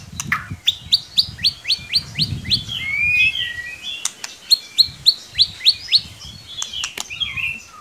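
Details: White-rumped shama lure song for coaxing a young shama to sing: a rapid series of short rising whistled notes about four per second, repeated in two runs with clicks between.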